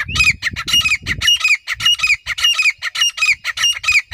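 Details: Wild grey francolin calling loudly and rhythmically, shrill grating notes about twice a second in an even chain, with some low rustling early on.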